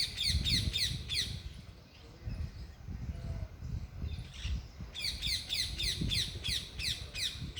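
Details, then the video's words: Loud parrot chirping in bursts: quick runs of sharp, harsh downward chirps at the start and again from five seconds on, with a quieter gap between, over steady low rumbling noise. "loud parrots chirping/Natural parrot sounds/parrot calling sounds"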